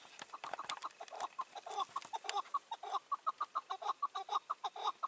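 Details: Chukar partridges in May, a wild old partridge on the ground near a roof decoy during a hunt; low clucking notes grow steadily more regular, repeated several times a second, with a few scattered clicks early on.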